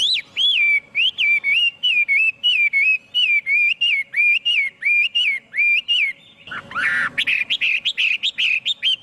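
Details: Chinese hwamei song free of background noise: a long series of bright, rising-then-falling whistled notes repeated about every half second, then a harsh burst and rapid chattering notes in the final seconds.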